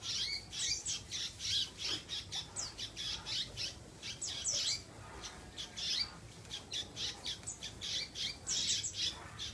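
A canary sings a fast, high, rolling song of harsh trills and buzzy bursts, repeated about twice a second with almost no pause.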